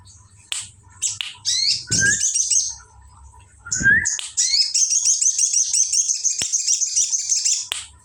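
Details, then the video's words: Sooty-headed bulbul copying the bar-winged prinia (ciblek): scattered sharp high chips and two short rising whistles, then a long, fast, buzzy high-pitched trill running for nearly four seconds. A soft low hum continues in the background. "sogon brenn ciblek"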